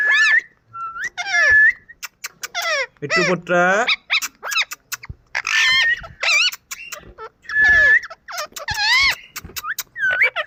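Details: Playful pet Indian ringneck parakeet giving a busy string of shrill squawks, slurred rising and falling screeches and short whistled notes, with one lower raspy, nasal burst in the middle.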